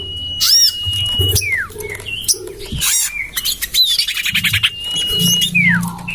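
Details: Common iora lure call for drawing in birds: two long level whistles, each ending in a downward-swooping slur, plus chirps, a buzzy rattle and other bird chatter.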